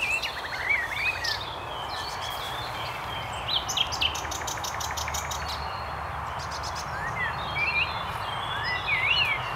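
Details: Nightingale song in woodland at RSPB Highnam Woods, Gloucestershire, UK, on 2 May 2012, with several birds singing around: scattered whistled phrases, rising slurs and bursts of rapid repeated notes over a steady rural background hiss.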